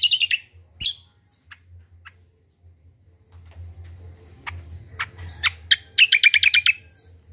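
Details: Common iora known as kacial giving short bursts: a few high chirps at the start, scattered soft ticks, then a rapid run of bright repeated notes near the end over a low hum.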